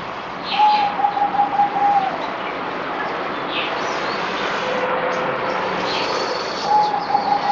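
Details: Zebra dove on its fourth deworming day, 17 April 2020, with a rapid bubbling coo trill early on and a second one starting at the end, against steady background hiss and distant chirping birds.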